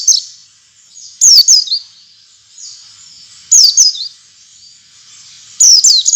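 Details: Oriental white-eye lure song for encouraging other white-eyes to sing: short clusters of two or three high, quick downslurred whistles, each cluster about two seconds apart, over a faint steady high hiss.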